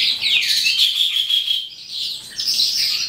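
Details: An Eastern calandra lark (Melanocorypha calandra psammochroa) starts singing at the end of the day, pouring out a fast, unbroken jangle of high chirps and trills, thick with rapid scratchy notes and brief whistles.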